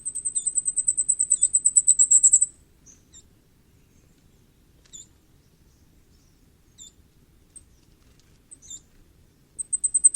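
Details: High, thin calls of a Common firecrest: a fast train of about twenty-five tiny sibilant notes lasting over two seconds, sparse single high notes in the gap, then another rapid series closing the recording.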